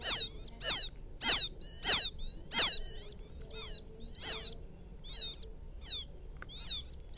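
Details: Calls of a quail chick seeking its mother, a lure sound: a run of piercing downslurred peeps roughly every half second, fading into weaker, warbling notes toward the end.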